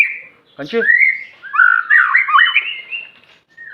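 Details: White-rumped shama from Aceh singing: a short whistle, a harsh rasping note, then a bright run of whistled, rising and falling phrases and a final clear note.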